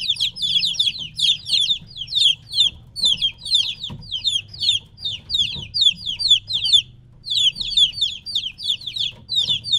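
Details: Chicks roughly three weeks old, separated from their mother, peep loudly and continuously in overlapping high downslurred notes, with a short silence shortly before the end.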